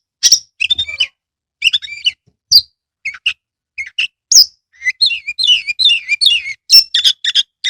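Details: Oriental magpie-robin in captivity, its song played to urge lazy birds to sing and open the tail; brisk chirps and whistles open, followed by a continuous stretch of rapid, twittering warbled notes.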